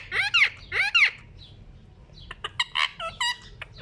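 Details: Pet ring-necked parakeet at a mirror giving two loud arched, harmonic screeches, then a run of quicker, varied chattering notes, with low room noise behind.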